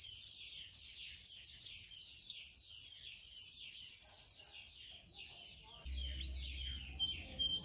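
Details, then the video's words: A singing canary, played for training canaries: a bright fast trill with high whistled overtones lasts about four seconds, followed by a pause and softer, scattered warbled notes with a low hum. "Video for Canary training 25 m. Canary training 0.25 Hour canario canary song"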